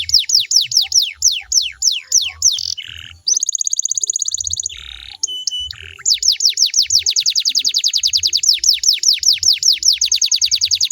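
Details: Singing canary used to make other canaries join in: a string of falling whistled sweeps, a bright metallic rolled trill, a short buzz, then a long fast series of sweeping notes, with faint low thumps.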